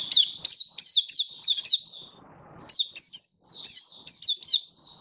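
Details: Oriental white-eye song recorded 24 February 2023: high, sweet, rapidly repeated chirping phrases of quick falling notes, a brief pause, then another run of lively twittering ending in a softer note.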